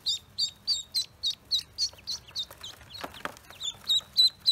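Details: Newly hatched Pekin ducklings on a farm give a steady series of high, thin peeps, about three or four each second, with a brief scratchy rustle partway through.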